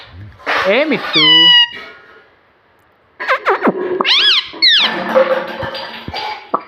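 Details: Pet ring-necked parakeet talking, imitating words such as mummy: harsh squawky syllables and a stacked nasal note, a pause, then wavering chattering phrases over background music.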